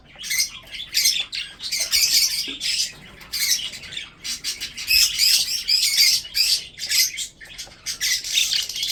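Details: Pet budgerigars kept for breeding, while eating, keep up a busy chatter of buzzy chirps and harsh squawks in overlapping bursts.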